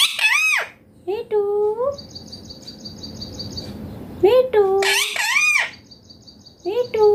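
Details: Indian green ringneck parrot voices: loud arching, speech-like harmonic syllables in bursts, some rising then levelling, with a repeated high twin-chirp sequence faintly behind in a quiet indoor setting.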